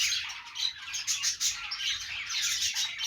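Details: Happy budgerigar giving a short stretch of nonstop twittering and squeaky chirps, bright and busy, with a few sharper accented notes.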